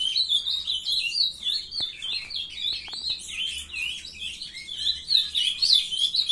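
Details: Young ultramarine grosbeaks bred in captivity singing together: a dense, continuous run of warbled, twittering notes, fast and overlapping, with no pauses.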